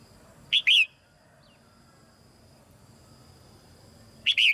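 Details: Female red-whiskered bulbul in a cage, singing so that young birds will sing more: a loud, clear two-note whistled phrase near the start, quiet pause, then another phrase at the end.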